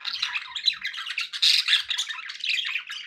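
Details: Captive budgies warbling indoors, a continuous mix of buzzy squawks, squeaks and whistled notes without breaks.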